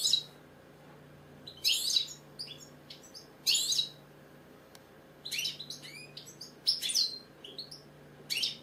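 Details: British European goldfinch kept indoors, delivering loud bursts of bright chirps and tinkling trills about every second or two, separated by short quiet gaps, with a low hum behind.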